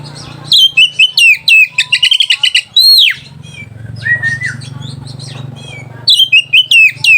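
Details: White-rumped shama song used to provoke rival birds and arouse mating: loud varied whistled phrases, sharp rising and falling notes repeated in quick bursts, with a steady low hum underneath.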